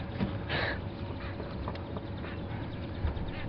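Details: Lilac-breasted Roller flying overhead during an early-morning dawn chorus, 66°F, Sabi Sands, South Africa, 10 November 2015. It gives one harsh, rasping squawk under a second long, over a low engine rumble and faint chatter.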